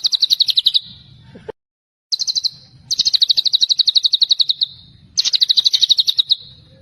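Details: Tembakan celilin song of a white-rumped shama: a string of quick, bright, rattling trills, one long and sustained, with a brief silent gap early on and a faint low hum beneath.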